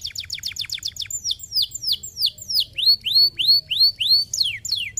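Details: Canary song used to stimulate other canaries to sing: fast chip series, loud downward-sweeping whistles, then rising arched whistled notes repeated steadily about three per second.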